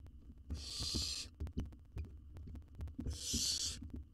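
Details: Nestling owl in a camera-watched nest box in Israel, wild, during feeding on a whole jird; two harsh hissing bursts about two seconds apart amid frequent clicks, taps and shuffling noises.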